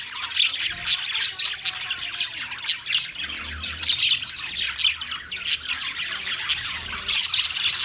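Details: Budgerigars, an Australian parrot, recorded 13 March 2024, chattering in a dense, continuous stream of high chirps and squawks. Sharper peaks come every half second or so over a steady twittering background.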